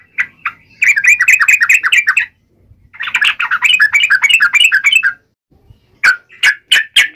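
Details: Fighting-style yellow-vented bulbul song, tarung ngalas with uplik ropel phrasing, meant to provoke other bulbuls into responding: two long runs of fast, bubbly, slurred chirps separated by a short pause, ending with a few sharp separate notes.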